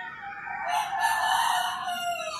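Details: Early-morning rooster crow in rural Philippines, one sustained harsh crow rising and holding for about two seconds, loud and close.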